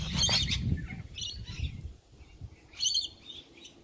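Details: Sulphur-crested cockatoos on a morning visit, the kind of flock known for chewing trees and woodwork: two harsh, broadband screeching bursts, one at the start and one near the end, over a steady low rumble.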